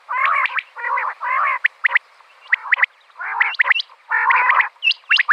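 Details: Female common quail, with a calling sound intended for quail hunting. Harsh, nasal, croaking bursts alternate with sharp hooked chirps and short trills, spaced irregularly over five seconds, with a quiet spell near the middle.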